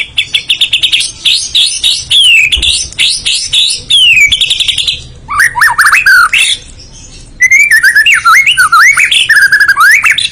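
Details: A white-rumped shama, or murai batu, singing a long, varied 'full isian' song: dense high chattering, gliding whistles, brief pauses, then fresh runs of looping whistled notes.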